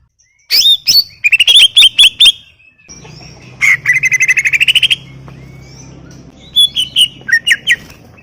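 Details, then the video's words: Greater green leafbird singing gacor for a masteran recording: bursts of rapid piercing whistles, then a buzzy rattling trill of quick repeated notes, then more sharp whistles, with a low hum in the middle section. "Full Gacor 40 menit CUCAK IJO"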